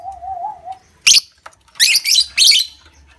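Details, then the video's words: Lovebird ngekek, a long chattering song played to stimulate other lovebirds to sing. A harsh, broadband screechy burst is followed by three rapid buzzy bursts in close succession. A soft wavering lower tone opens the recording, and faint clicks sound between the bursts. "Pancingan Love Bird Ngekek Ampuh Durasi Panjang"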